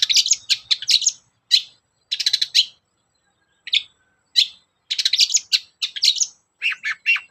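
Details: Cendet, the long-tailed shrike, singing a lure song meant to prompt other caged birds to sing: clustered high scratchy chirps in bursts separated by short pauses, with some falling whistled notes near the end.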